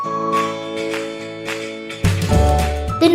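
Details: Bright jingly children's music with steady sustained tones, then a louder, busier section with a strong low beat after two seconds; no animal voice.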